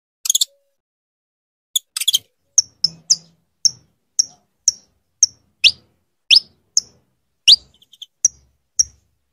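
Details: Calling repeatedly, a female saffron finch urges her male into breeding condition: opening harsh buzzy bursts give way to a regular series of short, piercing high chips, with occasional upward-swept notes, and no background noise.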